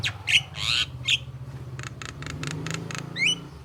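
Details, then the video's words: Javan myna voice used as a lure to make other mynas reply: harsh grating notes and squeaks, a run of evenly spaced rasping pulses, then a rising whistled slur, with a low hum throughout. "suara jalak kebo untuk pancingan jalak agar nyaut gacor manggut2"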